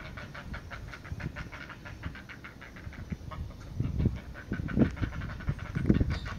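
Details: Great blue heron chicks begging noisily while a parent feeds them, a family crowded around the adult; rapid rasping, panting pulses repeated many times a second, swelling into louder growl-like bursts near the end.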